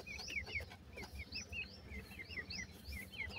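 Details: Several short, high peeping notes from grey francolin chicks, each a quick rising or falling chirp, overlapping in a busy chorus over low background hum.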